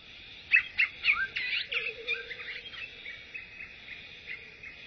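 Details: Crimson-backed sunbird, both parents rearing their young: a burst of sharp, high chirps and twitters in the first two seconds, then fainter scattered notes over a steady background hum.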